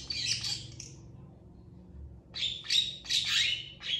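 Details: Long-tailed shrike singing a long emotional phrase that other shrikes answer. A harsh scratchy burst, a second of quiet, then a run of loud grating rasps.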